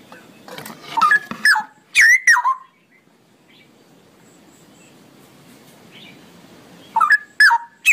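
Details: Straw-headed bulbul in long ropelan song, pouring out loud, mellow, bubbling notes that tumble downward, then falling silent for several seconds before resuming.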